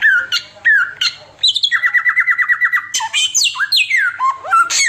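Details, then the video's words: Oriental magpie-robin in continuous 'tembakan' style song, said to suit tutoring other birds: clear slurred whistles, then a fast run of about fifteen identical clipped notes, then more varied whistles and harsh high bursts. "TEMBAKAN SAMYONG NGACOR"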